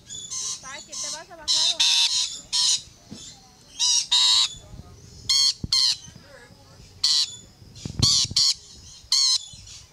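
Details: Rainbow lorikeets on a fence keep up harsh, grating squawks mixed with some wavering, warbled notes near the start, bursts repeating irregularly about once a second.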